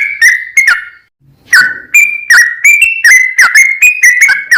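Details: Vigorous gacor singing by a yellow-vented bulbul, a long 'ropel panjang' used to spur other bulbuls to join in; a few whistled notes, a short pause, then a fast run of bubbly repeated phrases.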